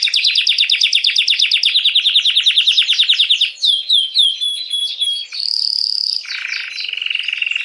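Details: Canary song meant to rouse females for mating: a long series of rapid, even pulses for over three seconds, then sharp descending whistled notes, a clear high tone, and a lower buzzing roll.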